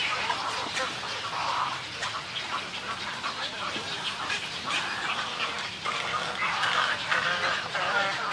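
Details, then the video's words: Snowy egret colony calls and greeting calls, a close-up recording: a dense chorus of harsh, croaking and gurgling calls from many birds overlapping continuously, with rough bursts around the middle and the end. "Snowy Egret. MCU-CU Colony Calls And Greeting Calls"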